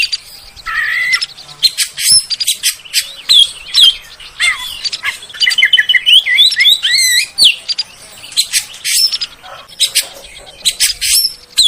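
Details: Oriental magpie-robin lure song meant to lift the mood of kept birds: a long, varied outpouring of bright whistles, quick wavering trills and sharp clicking notes, with brief pauses between phrases.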